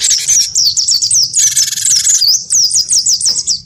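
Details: Cinereous tit, wingko type, in full fighting song against a white-eye: a steady stream of quick, high, looping whistled notes, overlaid midway by a loud buzzy rattle.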